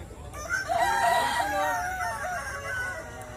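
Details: Contest of Kukuak Balenggek roosters in West Sumatra; a clear wavering crow opens the recording and trails off, layered with fainter crows from neighbouring birds.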